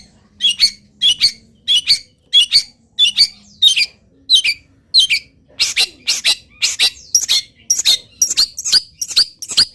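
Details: Local long-tailed shrike singing steadily while moulting, its song packed with imitations of wild birds: sharp, high chattering notes in quick bursts about every half second, growing denser and harsher toward the end, with a faint low hum.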